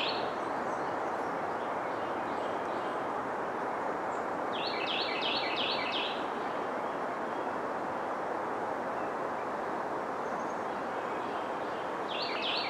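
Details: A black-and-white warbler in Augusta, Georgia, on 2 May 2014 gives a thin, high, squeaky series of rapidly repeated paired notes, about two seconds long, over a steady roar of background noise.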